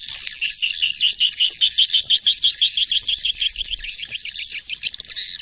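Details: Swiftlet lure call, a 2020 recording: dense, steady twittering of high chirps in rapid pulses, about three per second, running without pause through the whole stretch.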